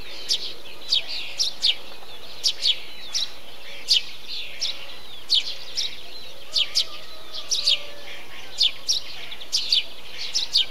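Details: Eurasian tree sparrow calling in a bee-eater colony. Short, sharp, descending chirps come in irregular pairs and clusters through the whole stretch. A softer, rolling chatter of other birds and a faint low hum sit underneath.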